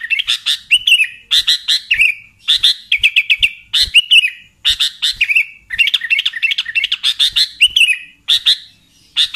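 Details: Sooty-headed bulbul giving bright, chattering bursts of clear notes, each group ending in a lower slurred whistle, repeated about every second and a half; a lure call used to attract wild sooty-headed bulbuls or provoke birds at home.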